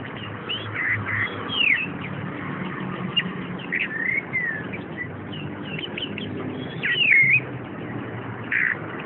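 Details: Captive chestnut-capped thrush from a shop collection singing a rambling series of whistled slurs and short chirps, with a louder twisting phrase near seven seconds, over steady low hum.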